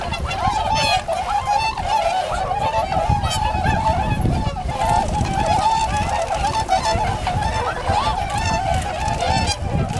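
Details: A large group of tundra swans gives a steady chorus of overlapping bugling honks throughout. Heavy low-pitched background rumble and some possible voices run beneath the calls.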